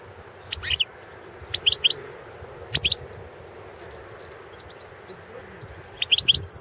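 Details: Balkan European goldfinch, Carduelis carduelis balcanica, entered in the 2016 World Championship in Goldfinch Song, Serbia, uttering brief clusters of high, sharp chirping notes at irregular intervals, separated by pauses, with occasional low knocks.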